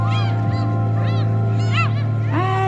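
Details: Gulls at Sorae port, Incheon, give a few harsh, arching cries about half a second apart over a steady low hum and a person's voice.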